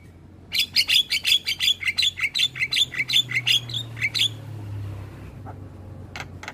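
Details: Javan myna singing in the morning as a model for young birds: a run of about fifteen quick, bright, repeated chirps with a slight rising whistle in each, lasting some four seconds, then a pause and two short sharp notes.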